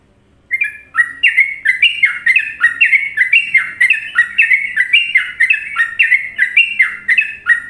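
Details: Sooty-headed bulbul from Indonesia singing a popular Trucukan-style song used for masteran training: after brief silence, a lively run of short bubbly whistled phrases, rising and falling, repeated about twice a second without pause, loud and clear.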